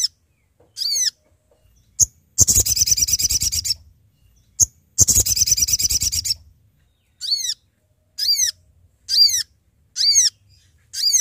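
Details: Lure recording of a Sooty-headed bulbul calling to companions: scattered arched harmonic call notes, two long bursts of rapid pulsed trilling, then a steady series of short call notes about once a second.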